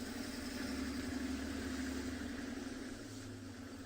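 A steady vehicle engine idles and rumbles throughout, with no animal voices standing out.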